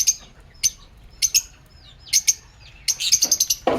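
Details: Pet lovebirds in an aviary give sharp, high chirps in short bursts, single and paired notes spaced about half a second apart, ending in a quick rapid run of chirps and a brief rustle.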